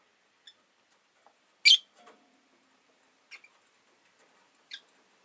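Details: One loud, strident squeak stands out from a caged rosy-faced lovebird, followed by a few faint short chirps in a quiet room with a window-side cage holding five birds.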